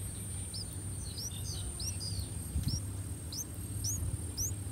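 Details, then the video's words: Streak-eared bulbul nestlings, three days old, begging as their parents feed them in a nest in a water jasmine tree by a house: a run of sharp, high rising squeaks about every half second, with low background rumble. "Streak-Eared Bulbul Feeding Their Chicks In The Nest"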